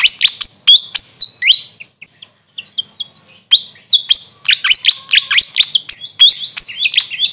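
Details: Grey fantail (Rhipidura albiscapa) calling in quick runs of high, squeaky chirps and short slurred whistles, pausing briefly before resuming its jumbled, tinkling phrases.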